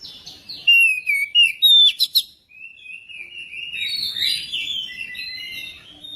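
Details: Magpie-robin song played to prompt another magpie-robin to sing: loud, varied whistled phrases with sharp chirps and slurred notes, then a softer, rambling warble of twittering notes. A faint low rumble sits underneath.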